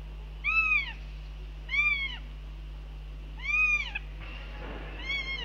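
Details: Northern goshawks at a nest in Latvia on 9 June 2021, as the father drops in during breakfast and is told off: four drawn-out, mewing calls that arch up and fall, one to two seconds apart, over a low steady hum.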